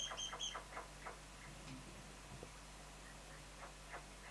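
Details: A pair of juvenile mountain quail (Oreortyx pictus), 3 months old, give a quick burst of short, clipped chirping notes, then softer scattered peeps, over a steady low hum.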